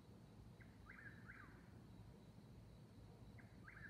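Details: Two eastern whip-poor-wills singing against each other at 22:42, 19 May 2021, near Davis Creek Road, Seneca, South Carolina, 69 °F. Two quick whistled phrases with a sharp downward end, a pause, then another phrase begins, over a quiet low drone.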